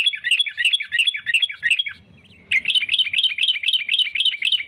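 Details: A sooty-headed bulbul in lively, vigorous song, used as a lure call for trapping, sings rapid, bubbling, chirpy phrases repeated over and over with a brief pause midway; no other sounds stand out.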